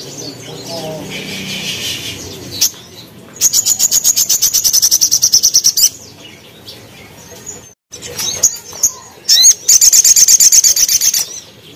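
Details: Sogon, or crimson sunbird, in a cage-bird training recording. A low, noisy passage opens, then two long, fast trills of shrill repeated notes are separated by scattered high chips.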